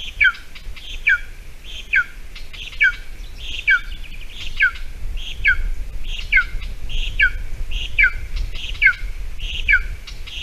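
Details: Golden eagle nest on an island by a Latvian bog, 28 June 2020, 8:46 a.m., mouse brought for breakfast: a long even run of high falling whistles about every 0.8 seconds over a low, continuous rumble.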